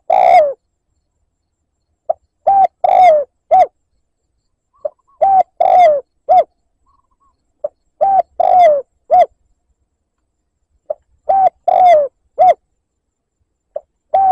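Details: Spotted dove cooing in the liêu lỡ style as a lure call to provoke rival wild doves: phrases of short clipped notes around a longer, slurred, falling coo, repeated about every three seconds with silent gaps, no other sounds.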